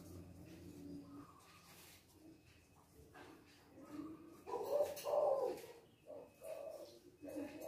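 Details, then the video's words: A male spotted dove (tekukur) with a big "kuk-2" voice gives deep, hoarse cooing phrases, loudest in a rolling burst midway, over a murmur of faint background noise. "Masteran Tekukur Kuk 2 Gacong Suara Besar"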